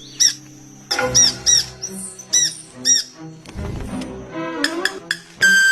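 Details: A male Club-winged Manakin makes wing sounds instead of singing, rubbing two feathers together up to 100 times per second: short, pure, ringing tones repeated a few times over background music.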